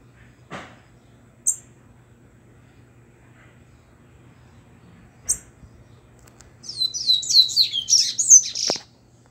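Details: A Double-collared seedeater coming out of its moult gives a few thin, high chips, then a two-second burst of rapid, high, twittering notes near the end.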